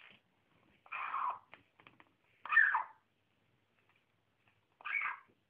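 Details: Young female pet African grey parrot, which squeaks constantly while playing and eating, giving three short, rough, squeaky bursts spaced about two seconds apart with faint clicks between, indoors.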